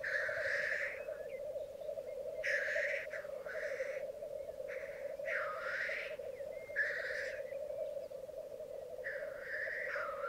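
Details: Lekking black grouse, twelve males with two females on a bog at Mykland, May 2022, morning: constant rolling bubbling chorus punctuated by six loud hissing sneezes spaced a second or two apart.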